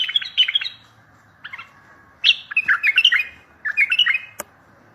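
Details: Bulbul singing, played to provoke answers from other bulbuls for trapping. Clusters of liquid, tumbling notes arrive in three bursts, each rising and dipping, with a sharp click near the end.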